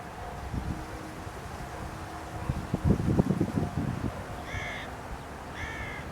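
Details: Carrion crow "singing" from a post in Aranoltza, Zamudio (Bizkaia), June 2020: a burst of low rustling thumps, then two rasping, banded caws roughly a second apart against a constant low hum.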